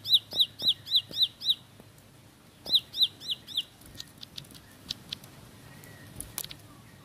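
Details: Bar-winged prinia singing a fast rolling song: six sharp downslurred high whistles in quick succession, a pause, then five more, followed by scattered faint chips and clicks.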